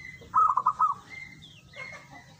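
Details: Local zebra dove (perkutut) in full voice; a short burst of rapid, warbled cooing notes, followed by fainter thin steady whistles and soft background hum.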